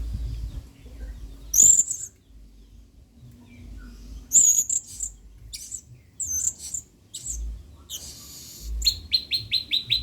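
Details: Male blue-crowned hanging parrot, adult, singing full of emotion in the 'main singa' style for training other birds: scattered very high squeaky notes and a short noisy burst, then a quick run of six lower ticking notes at the end.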